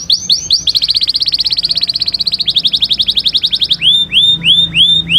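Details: Canary song opening with swooping notes, then a long rapid rolling trill, ending with slower arched whistled notes repeated roughly every half second.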